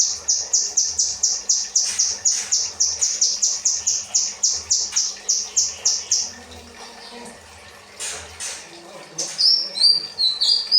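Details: Kinoi bird in rambatan style, used as training material for cage birds: a fast run of sharp, high chirps repeated about four times a second for six seconds, a pause, then more high twittering notes.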